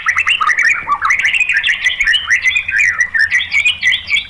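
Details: White-rumped shama song used as a lure to provoke other shamas: a rapid, continuous run of varied whistled and chirping notes, swooping and warbling without pause, with faint low hum beneath.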